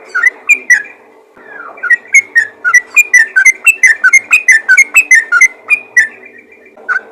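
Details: A yellow-vented bulbul calls to other bulbuls: a few bubbly notes, a short gap, then a sustained series of clear, liquid chirps at a steady quick pace.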